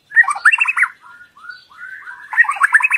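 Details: White-rumped shama singing on a lure recording meant to draw out loud song from other shamas: a brief jumble of rich warbled notes, soft drawn whistles in the middle, then another fast warbled burst.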